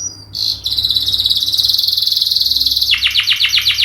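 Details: Canary in a long lure song: an extended fast rolling trill held for more than two seconds, followed by a series of sharp descending whistles.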